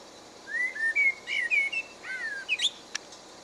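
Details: Song of a common blackbird, with mellow whistled notes rising and falling, then a brief twittering flourish climbing higher at the end; quiet background hiss between phrases.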